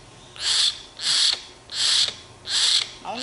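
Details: Tame young common hill myna, sulking and wanting to eat bread, gives harsh, hissing rasps, four loud bursts each about a third of a second long, spaced roughly every 0.8 seconds, with a faint hum underneath.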